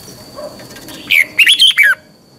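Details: Morning song of a red-whiskered bulbul, recorded to train caged birds in a twisting double-voice style. One quick phrase of four loud, rolling whistled notes follows a faint lower chirp.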